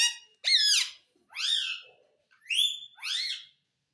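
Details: Pet parrot said to speak the words mummy and papa; four separate harmonic, bending utterances, each under a second long, with short pauses between them and no other sounds.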